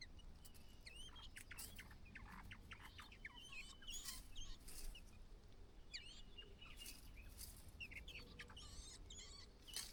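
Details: On fledging day, a White-browed laughingthrush mother calls her single chick out of the nest. Brief sharp chirps and slurred notes come in loose clusters, mixed with dry clicking knocks against a steady low hiss.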